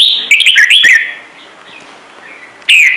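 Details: Red-whiskered bulbul giving a full song used to get newly caught birds singing: a quick, bubbling phrase of five or six slurred whistles, a quiet spell, then one loud upward note.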